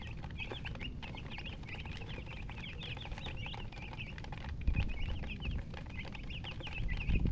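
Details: Chickens give thin high peeps in short runs with a brief lull midway, set against loud low rumbling and a few thumps near the end.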